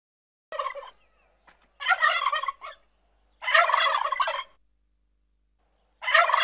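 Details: Domestic turkey (Meleagris gallopavo) gobbling: rapid, rattling, bubbly gobbles in bursts of about a second, repeated four times with short pauses.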